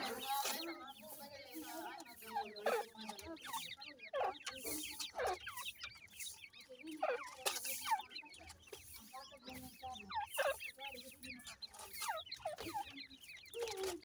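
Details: A long stretch of black francolin chicks calling: constant high chirps and slurred cheeps overlapping irregularly, with sharp clicks and rustles interspersed.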